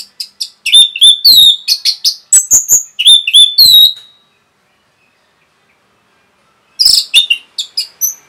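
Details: Rapid Orange-headed thrush song for provoking other birds: four seconds of fast, varied whistled phrases with rising and falling slurs, roughly four notes a second, a long silence, then another run of bright, shrill notes.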